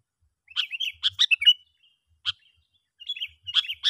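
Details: Sooty-headed bulbul call used as a lure to draw other bulbuls in, heard as sharp clicking bursts mixed with bubbly, warbled chirps in two clusters separated by a short pause.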